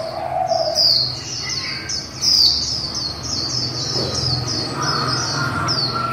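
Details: Female white-eye pouring out a líu song: a rapid, even string of high, thin falling notes, roughly two to three per second, over a soft low hum.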